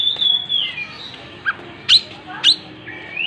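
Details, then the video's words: Kacer, the Oriental magpie-robin, with tail opened: a long falling whistle, then spaced sharp upswept notes and a short rising whistle at the end. "Burung Kacer gacor buka ekor"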